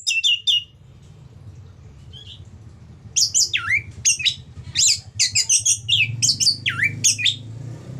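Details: Ngeplong-style song of an orange-headed thrush, meant to spur other thrushes into song: a few faint notes, then from the third second a rapid run of sharp, looping and dipping notes over a steady low hum.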